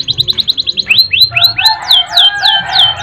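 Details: Canary singing vigorously, a long song with rolling trills and sharp 'nembak' bursts, kept as a training recording for other birds: a quick run of about a dozen high repeated chips, then downward-sweeping whistled slurs over lower steady tones.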